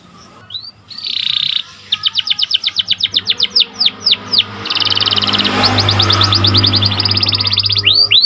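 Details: Singing white panda canary kept as a cage bird: a buzzy roll, then a long run of quick descending chip notes, then a dense rapid trill, over a steady low background hum.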